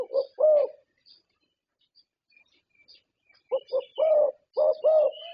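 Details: Thai champion zebra dove, a contest winner, with a short coo phrase, a pause, then a run of quick clipped notes ending in rolling purrs; soft high chirps of other birds around.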